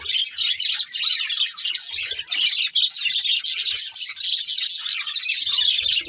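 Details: Busy chirping from a breeding pair of budgerigars: nonstop twittering warble of quick high notes and buzzy squeaks, scattered soft knocks in the background.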